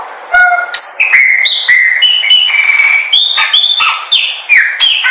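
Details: Chopi blackbird song for training, an unbroken string of fluty whistles at shifting pitches, some level and some dropping, delivered quickly with crisp clicks between notes.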